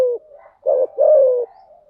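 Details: Spotted dove hen cooing played as bait to attract doves: a short falling note, a brief pause, then a clipped note and a long low coo gently descending, with faint soft tails afterward.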